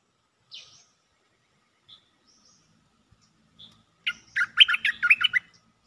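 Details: Cream-vented bulbul calling vigorously for a mate: a few faint, scattered high notes, then a loud, fast bubbling chatter of about a dozen rolling notes lasting around one and a half seconds near the end, with faint low background rumble.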